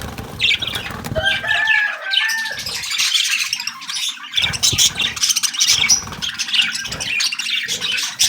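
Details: Rainbow and hogo budgerigars chatter in quick, scratchy warbles and chirps amid bursts of fluttering wings.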